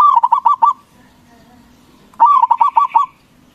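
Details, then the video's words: Loud local zebra dove singing as a lure to trigger quick replies from other doves: two phrases of fast, rolling coos, each of six or seven bubbling notes, separated by a brief lull. "Perkutut lokal Gacor Suara BESAR bikin Cepat Emosi Lawan Auto Nyaut Seketika"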